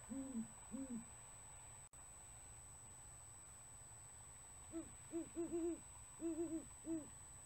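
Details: A male Great Horned Owl on a perch in February gives deep, soft hoots: a pair of low notes, a pause, then a longer stuttered series at a slightly higher pitch. He hoots at a female who flies toward him and answers her hoots. Quiet background hiss.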